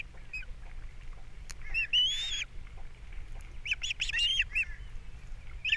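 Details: Ospreys at a Captiva nest, camera recording, April 3, 2022, during a fish delivery and chick feeding: a long slurred whistle, then a cluster of quick shrill chirps amid quiet background.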